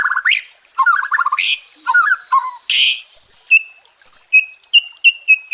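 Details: White-rumped shama song, offered as therapy to restore fighting spirit in stressed shamas: rich whistled phrases and fast rattling notes, then a series of short upslurred whistles repeated about every half second.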